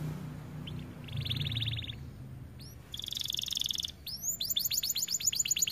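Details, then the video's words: White AF canary song made of separate phrases: a buzzy rattling trill, a short upward slur, a bright metallic buzz, then a rapid series of rising chips. Low rumbling noise is underneath. "Kenari AF warna putih GACORR DORR"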